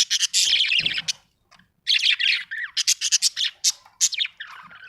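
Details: Happy budgie giving loud, dense, squawky chirps in fast bursts, a short pause, then rapid chattering notes of varied pitch.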